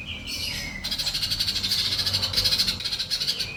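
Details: Sunbird singing, played to train birds and prompt quiet ones to answer: a short sliding whistle, then a long, dense, high-pitched buzzing trill with a rapid pulsing rhythm.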